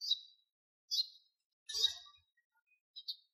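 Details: Sparrow singing: four short, bright chirps spaced roughly a second apart, each a quick high twitter with a brief slurred tail, in an otherwise quiet setting.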